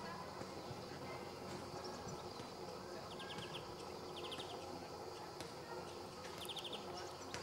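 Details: A male European greenfinch, recorded 26 July 2014 at Sabunike, Croatia, gives three quick, high twittering trills, each a short burst of rapid notes, over a steady rushing background noise.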